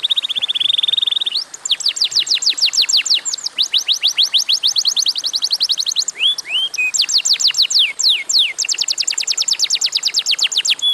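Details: Canary singing a long, loud song: a steady trill near the start, then rapid runs of sharp downward-sweeping whistles, some rising notes and short buzzy rolls, about three notes a second.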